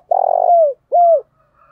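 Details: Spotted dove used as a lure, calling in the 'thúc bổi' style to attract wild doves: a burry, buzzing coo that smooths into a falling tone, then a short pause and a clear, downward-curving coo.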